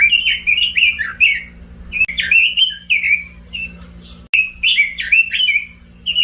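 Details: A robin sings choppy phrases of bright whistled and slurred notes with frequent short pauses, quick notes grouped in twos and threes; low hum in the background.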